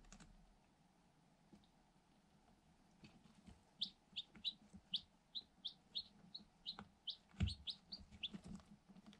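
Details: Light Sussex chicks, eight of them, one day old, inside a cardboard box and recorded on a GoPro Hero 7 Black. Quiet at first, then a steady run of clear, high, downward-sliding peeps, with occasional soft taps.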